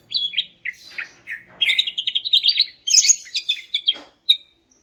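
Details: Greater green leafbird, meant to get quiet males singing: a few separate chirps building into a fast, rattling whistled phrase, then scattered sharp notes.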